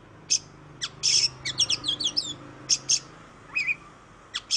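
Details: Indonesian kacer, or oriental magpie-robin, singing sparse phrases of harsh, rasping bursts and quick high chirps, with a couple of short downslurred whistles separated by brief gaps.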